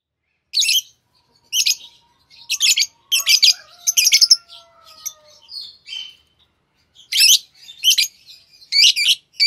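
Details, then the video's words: Green Fischer's lovebird pair singing: bursts of harsh, high chirps in quick clusters separated by short pauses, with a faint steady whistled tone running through the middle. "Lovebird Singing & Chirping Sounds - Green Fischer Pair"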